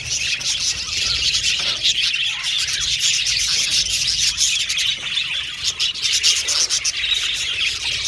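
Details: Budgerigars chattering as a colony in an aviary, an ongoing high twittering chorus of chirps and warbles with slight swells in loudness.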